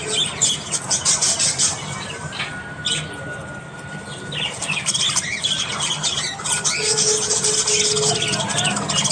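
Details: Budgerigars chattering in the morning: dense high squawks and chirps, a quieter gap near the middle, then renewed busy chatter with a long steady whistled tone.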